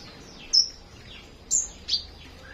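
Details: Morning flowerpecker song as three thin, piercing high notes, two short down-slurred chirps and a brief flat whistle, spaced unevenly across a quiet background.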